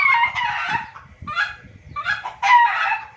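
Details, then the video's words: Noisy junglefowl calling from a trapping-lure recording. Three hoarse, squawky bursts arrive about a second apart, each with a brief whistled tone inside. "suara pikat dan masteran ayam hutan ribut paling ampuh"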